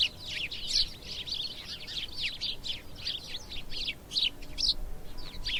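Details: House sparrows chirping in dense, overlapping bursts, many short buzzy chirps crowding together with no pauses across the whole stretch, suggesting several birds calling at once; faint background hum underneath.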